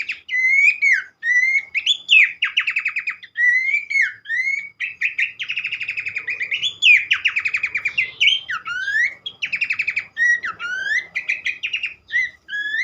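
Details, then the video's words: Abbott's babbler in sustained full song, used to stimulate other birds: repeated rising whistles interleaved with rapid chattering trills and harmonic-rich slurred notes, steady and energetic throughout. "mesti ikutan gacor burung pelanduk semak lain dengan terapi andalan ini"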